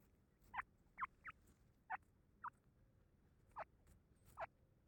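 A grey francolin chick gives seven short, high, squeaky peeps at uneven intervals over about four seconds, against a quiet background.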